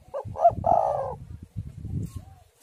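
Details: Spotted dove coo used to prompt doves to sing: a short note, a sharper second note, then a long rolling coo, followed by low gusting wind noise.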